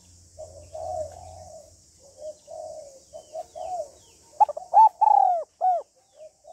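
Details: Female spotted dove coos to draw a male. A soft, broken series of low coos gives way to a loud group of four arched, ringing coos near the end.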